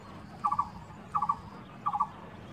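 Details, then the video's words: A Coppersmith Barbet, an Asian bird whose call is likened to a hammer hitting metal, gives short, hollow mid-pitched notes in quick clusters of three, about every 0.7 seconds, over a low background hum. "Coppersmith Barbet Sounds"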